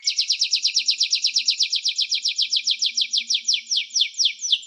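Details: Canary song: a rapid, evenly pulsed trill of sharp descending chirps repeated about twice a second, bright and high-pitched, with a faint low hum beneath.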